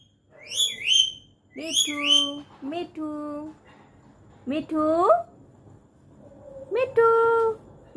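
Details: Pet parrot answering its owner's calls, giving sharp upward-swooping whistled chirps in pairs, mixed with a person's repeated sing-song calls of its name and a final drawn-out tone.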